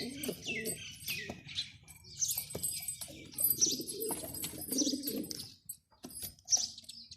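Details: Male pigeon cooing in low, throaty bursts, with wing flutters, busy chirping of other birds and a voice in the background.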